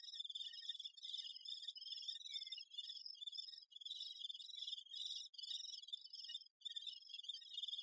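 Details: Great spotted woodpecker tending its young. Dense, shrill buzzing chatter comes in long runs broken by brief pauses, with a faint lower whistle heard once.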